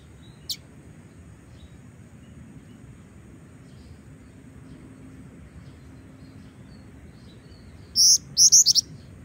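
A female Black-winged Flycatcher-shrike gives a quick burst of three or four high, thin, sharp notes after several seconds of near silence.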